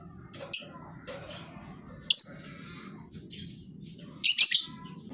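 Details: Lovebird calling as a lure to prompt birds that are reluctant to sing: three scattered shrill bursts, the last a short rough chattering cluster, with faint scratchy noises and a low rumbling hum between them.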